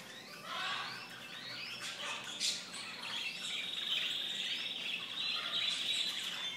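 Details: Canaries kept in a bird shop, recorded 5 May 2011, give a long, even rolling trill after some scattered chirps, with a background of soft chatter from other birds.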